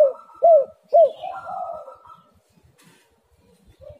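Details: Spotted dove calls used as a lure to get reluctant birds calling: two loud, arched, hollow coos in quick succession, then a softer, drawn-out murmuring coo that fades into near silence, with a faint coo returning at the end.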